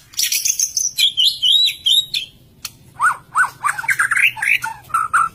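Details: Lively, vigorous song of a white-rumped shama: a rapid high chattering run of notes, then fuller whistled phrases with varied rising and falling notes, delivered in quick bursts.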